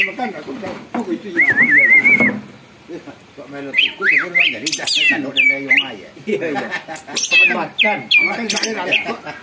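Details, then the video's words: Greater green leafbird in full song, said to stir other birds to sing and become agitated: a rippling whistled trill, then a jumble of rising and falling whistles, squeaks and harsh notes with busy low chatter beneath. "cucak ijo gacor bikin burung lain ikut BUNYI dan EMOSI"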